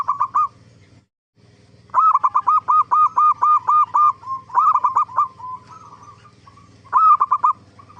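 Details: Lure song of a zebra dove in full voice, played to make other zebra doves answer. A brief phrase, a short pause, then a long run of rapid, evenly spaced cooing notes rising and falling, ending in another bright rolling phrase over a low hum.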